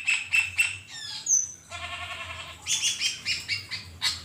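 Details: Wild black-winged myna, in a natural setting: bursts of harsh, buzzy chattering mixed with short whistled slurs, the noisy notes coming in quick repeated pulses roughly every third of a second.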